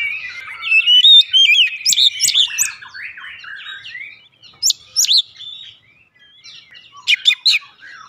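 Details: Lure song of the Oriental magpie-robin to make it sing; a busy run of chirps and buzzy trills, then sparse sharp high notes after a lull.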